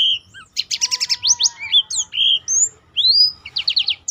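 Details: Black-throated canary song meant as a model for other songbirds: clipped whistles, quick stuttering buzzy trills and smooth rising slurs, ending in a rapid ticking burst.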